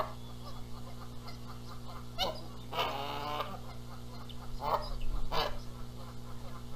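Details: Canada geese arguing over incubating the eggs at a Montana nest, April 14, 2022: a harsh burst, then a long nasal harmonic honk, then more rough honks, over a background of chirping small birds.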